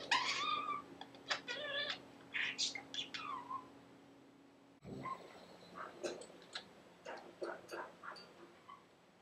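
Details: Male pet budgerigar repeating learned words and laughter; speech-like, harmonic-rich phrases with rising and falling pitch open the clip, followed after a short break by scattered quieter clicks and chirps, faint indoor hum.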